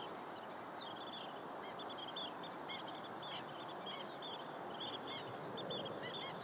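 A flock of Long-billed Dowitchers keeps up a steady chatter of short, high, squeaky keek notes over a constant rushing background noise.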